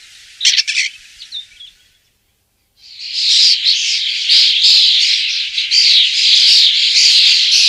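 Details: Common starling song: a brief burst of scratchy notes and a faint whistle, a short silence, then a continuous dense, buzzy, rattling chatter of rapidly repeated notes.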